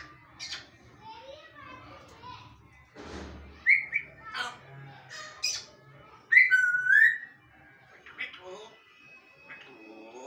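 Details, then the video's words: Indoor bonded pair of African grey parrots talking; a busy mix of chatter, mumbled word-like sounds, clear looping whistles and brief squawks comes in uneven bursts, with a rustle of handling noise partway through. "Talking Parrot #African Grey Parrot Bonded Pair"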